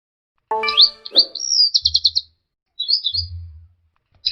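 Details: Orange-headed thrush song, used for training caged birds: a brief harsh, harmonic-rich note, then a rising whistle and a fast buzzy trill of about six pulses, and later a short chattering phrase, with low thumping underneath.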